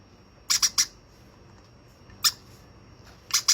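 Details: Hand-fed young conure producing three grating squawks in quick succession, a lone squawk after a pause, then a closing pair, in a quiet indoor setting.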